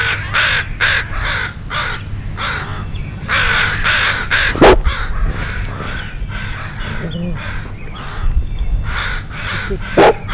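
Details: Many crows cawing in alarm at a dog near two juvenile crows learning to fly; harsh repeated caws overlap throughout, with a few loud close bursts and steady low wind or handling rumble.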